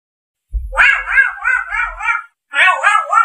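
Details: Grey parrot: two bursts of harsh, wavering, harmonic-rich calls. Each burst is made of several pulsing syllables that rise and fall, with a brief low thump at the onset.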